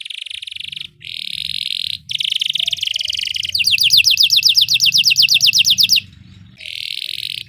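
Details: Belgian canary singing as training for other canaries: sustained buzzy rolls with short breaks, then a clear run of rapid descending trilled notes, and a final buzzy roll.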